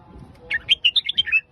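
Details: Phetchaburi-style song of a red-whiskered bulbul: one crisp phrase of about seven rapid, rich whistled notes stepping up and down, ending in a short slurred flourish, with quiet low rumble behind.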